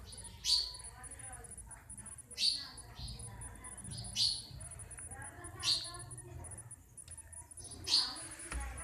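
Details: Sparrows calling: short, bright, high chirps repeated about every one and a half to two seconds, each a sharp downward-sweeping note over a quiet background hiss.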